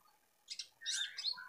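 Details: A White-rumped shama of the Medan type gives two quick high chips, then a rich burst of warbled, whistled notes sliding between high and middle pitch.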